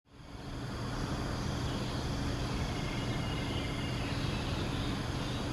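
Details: A low, steady engine-like rumble fades in and continues without a break, with no animal calls.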